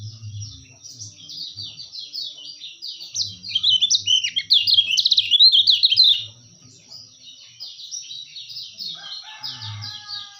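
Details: Kecial kuning white-eye, a tutor and lure recording: a long, rambling sequence of high, thin, slurred chirps that grows loud and intense, then drops away to faint notes and low knocking sounds.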